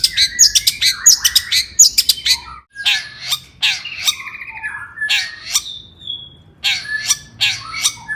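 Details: Long-tailed shrike in emotional, provoking song: quick bursts of sharp chirps at first, then slower scratchy, grating phrases and a thin whistle, separated by short gaps.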